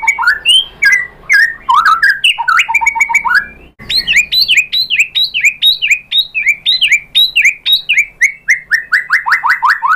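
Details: Sustained white-rumped shama song played to provoke answering birds: varied whistles at first, then a long steady series of repeated downslurred notes, roughly four per second, ending in lower slurred calls.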